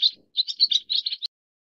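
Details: A leucistic Pacific swallow (Hirundo tahitica) gives a quick run of high, buzzy twittering chirps, about eight notes packed into just over a second, then falls quiet.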